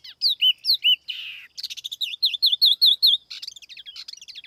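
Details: Tiểu mi laughingthrush lure bird singing clear, swooping whistles, then a brief harsh rasp, a rapid series of bouncing notes and a chattering finish, with a clean background.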